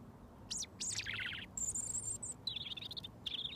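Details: Close-up of a wild robin singing at arm's length while waiting to be fed mealworms: high thin whistles and sweeping notes, a rapid trill, then wavering warbled phrases, over faint low background hum.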